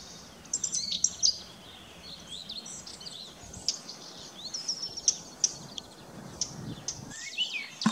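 Eurasian blackcap song: quick, high, scratchy chirps and twittering notes spread through the clip, with other small birds possibly calling over a soft outdoor hiss.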